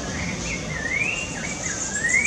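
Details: Rufous-bellied thrush singing in Parque da Chacrinha, Rio de Janeiro, Brazil, October 2019: a soft, wavering whistled phrase that rises and falls, half-buried under steady city hiss and broadband noise.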